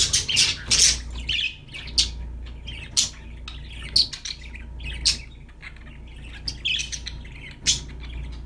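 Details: Budgerigars, kept as pets, chirping and singing: bursts of bright, scratchy chirps and squawks, some rising into high buzzy notes, tumbling in irregular clusters over a low steady hum.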